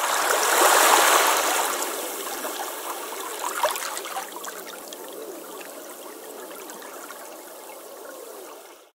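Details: Running water, a steady rushing and gurgling stream, louder at the start and easing toward the end, with no clear animal voice.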